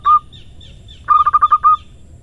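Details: One drawn-out coo from a local female zebra dove, then a tight cluster of six quick notes ending in a longer note, 'irama manja' style.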